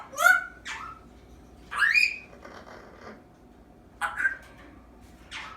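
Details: Eight-month-old female African grey parrot kept indoors practicing learned sounds, including a new squeaky-toy noise; short squeaky whistled notes that bend up and down come in separate bursts a second or two apart, with quiet room background.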